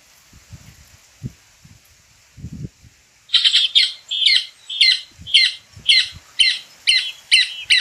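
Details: Rufous cacholote (casaca-de-couro) singing in the Brazilian sertão: loud harsh chattering notes repeated about twice per second after three seconds of quiet, with low thumps earlier.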